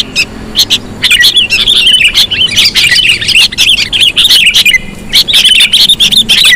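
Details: Sooty-headed bulbul lure sound meant to draw in bulbuls. After a quiet start, busy sequences of high, bubbly chirps and squeaky twitters follow in rapid, overlapping runs.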